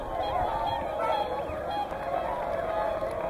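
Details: Whooper and Tundra swans at Hyoko, Niigata, heard as a dense chorus of overlapping honking, bugling calls from a large flock, continuous throughout.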